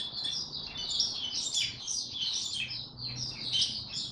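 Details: Tiong aw style song of an Oriental white-eye, 25 January 2022; dense, shrill warbling in a fast, unbroken stream of high chirps and trills.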